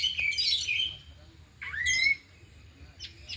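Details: Oriental magpie-robins in afternoon training, four birds singing their learned fill-in phrases; here a short buzzy twitter, then a pause and one clear whistle rising sharply then leveling off, followed by faint high chips.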